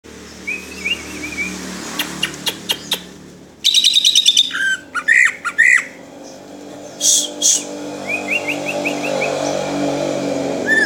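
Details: Cucak ijo, green leafbird, singing in the tembakan style of Cililin: scattered sharp chirps and clicks, short rapid bursts of high notes, a few upslurred whistles and brief chattering trills, separated by pauses.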